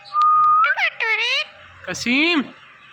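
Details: Calling "Mithu", an Indian ringneck parrot makes a flat whistle followed by two buzzy, voice-like harmonic phrases with a pause between them.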